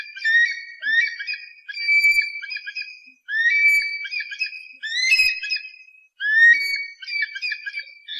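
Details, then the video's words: Eagle call played to drive off pests, a steady series of shrill, harmonic-rich whistled screams, rising notes chained into rapid phrases about every one and a half seconds, almost without pause. "suara burung elang pengusir hama"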